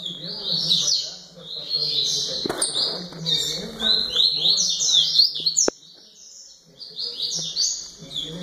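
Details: Double-collared seedeater singing a long, rapid string of high chirps and slurred whistled phrases. The song breaks off after a sharp click, then resumes with a low background hum throughout.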